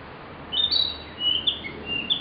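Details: A Narcissus flycatcher singing in an old recording over ten years old: a bright high whistle that drops, followed by a lower sliding note and a sharp high flourish, with gentle hiss behind.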